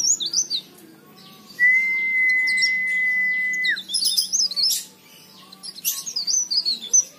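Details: Leaf warbler song used as a lure to prompt other leaf warblers; high rapid twittering phrases interrupted by a long, steady, level whistled tone lasting about two seconds, then more quick chirping.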